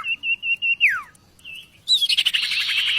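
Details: Oriental magpie-robin tutor singer giving a steady run of short whistled notes, then a falling slur, a lone whistle, and a rich rattling buzzy phrase at the end.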